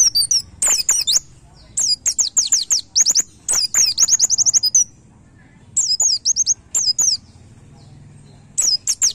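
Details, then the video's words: White-eye "nembak" master for cage-bird training, played daily during morning airing: repeated short bursts of fast, high, sweeping chirps with gaps of about a second between volleys, faint hum below. "MASTERAN PLECI NEMBAK MUDAH DI DIINGAT"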